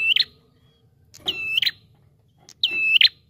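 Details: Bar-winged prinia, lure recording of a persistently calling bird: three loud, flat whistled notes bracketed by sharp clicks, each lasting roughly half a second, spaced irregularly with quiet gaps, a soft low hum underneath.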